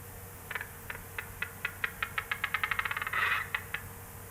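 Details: Male western capercaillie displaying at dawn on a small mound in pine forest: dry, separate clicks, slow at first, then quickening into a rapid rattle that ends in a brief grinding, whetting-like burst.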